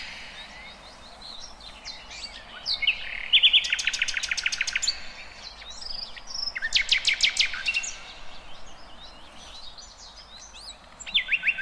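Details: Songbirds calling in the wild, a mix of chirps and twittering broken by two bursts of rapid, buzzy rattling trills, with steady background hiss.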